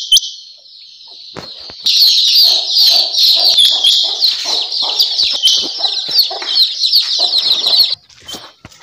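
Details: Quail, tagged as a female rain quail: a dense, high, shrill chatter runs unbroken for about six seconds over lower clucking and scratchy notes, then stops abruptly.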